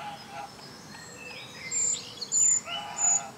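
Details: Eurasian treecreeper uttering thin, very high, piercing call notes in the second half, three short level tones close together, with soft, lower chirps from other birds and gentle background hiss.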